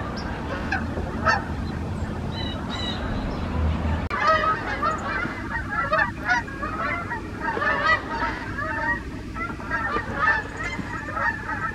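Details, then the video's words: Canada geese, wild, passing overhead in the morning in the USA; sparse honks at first, then a thick, continuous chorus of overlapping nasal honks from a large flock, with low rumble underneath. "Canada Wild Geese flying in the morning - USA"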